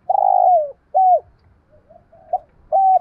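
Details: Spotted dove coo phrase from a recording used to train decoy birds: a long rough coo sliding downward, a shorter arched coo, several faint soft notes, a short note, then another steady coo.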